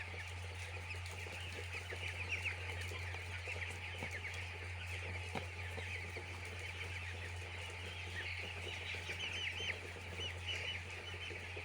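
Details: Poultry-farm chicks fill the air with continuous shrill peeping, individual short chirps blurring into a busy chorus. Low droning hum and a few faint clicks in the background.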